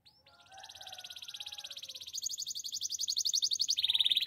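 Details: Belgian canary training song: a quiet start with soft lower warbles, then a swelling rapid trill of repeated high notes growing louder, shifting to a faster brighter roll and ending on a steady pulsed tone.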